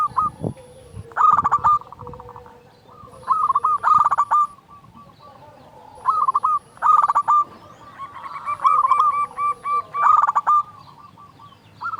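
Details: Loud, active local zebra dove song, used to stimulate other doves: repeated phrases of fast staccato coos every two seconds or so, some overlapping as if more than one dove sings, with a soft thump at the start.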